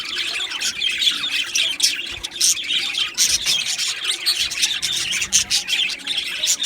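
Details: Many budgerigars in an Australian budgie colony chirping at once, a steady stream of high, scratchy twitters and short squawks pulsing in quick bursts.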